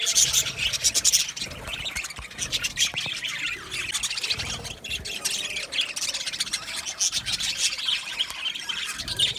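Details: Aviary colony of Australian Budgerigars, long stretch of busy overlapping chirps, squeaks and scratchy warbles from many birds, loud near the start.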